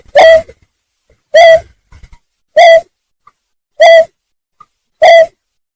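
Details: Repeated lure call of a greater painted-snipe for trapping birds: five brief, owl-like hoots delivered at a steady rhythm roughly every 1.2 seconds, each note short and level with a hollow, slightly nasal tone.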